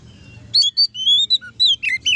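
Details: Oriental magpie-robin singing to spur other magpie-robins to sing: a short run of clear, loud whistled notes, some long and level, others quick slurred chirps, over a faint low hum.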